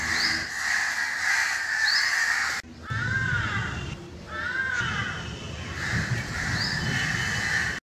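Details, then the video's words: Wild crow eating fruit in Jammu and Kashmir; harsh arched caws repeated near the middle, over steady loud background hiss and hum, with a high rising whistle-like sound recurring. "CROW VOICE"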